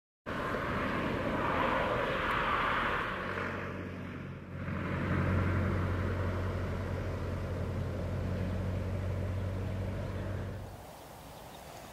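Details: Steady vehicle or engine rumble with broad noise and no distinct animal calls.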